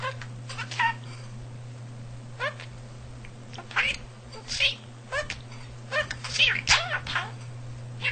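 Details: Male household budgerigar that mimicked speech and a cat's purring produces scattered high, scratchy speech-like syllables and rising squeaky notes in irregular bursts, accompanied by a persistent low mechanical hum.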